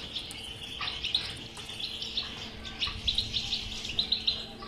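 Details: European goldfinch singing bitbita, a song used as a remedy for a goldfinch that will not sing: quick tinkling twitters in repeated bursts about every half second, with a faint steady hum.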